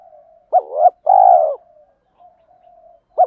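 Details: Spotted dove cooing meant to excite males for decoy-bird training: a quick doubled coo followed by a drawn-out husky coo, low soft humming after, and a new phrase starting at the end.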